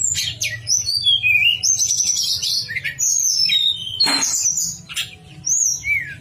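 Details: Javan sunbird song of the nyuling style, a master recording for prompting other birds of its kind to sing: bright, very high twittering whistles and quick down-slurred phrases, one sharp broadband click near the middle, faint low hum beneath.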